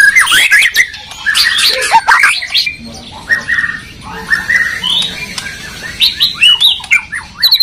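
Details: Dueling white-rumped shamas from Medan and Borneo: a loud burst of overlapping harsh notes and whistles, then softer fluty phrases and short chattering runs spaced by brief gaps.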